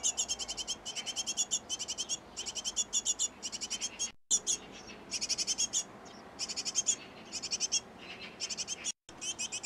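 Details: Nest box occupied by a great tit pair with nestlings being fed: near-continuous volleys of fast, high, piping chirps, grouped into bursts with short pauses, over a quiet background.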